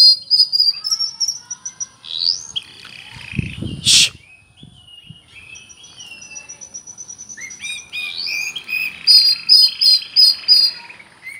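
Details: Oriental magpie-robin singing with cricket-imitation fill: thin high whistles and swooping notes, a loud knock or thump midway, then softer murmured notes building to rapid repeated high chirps.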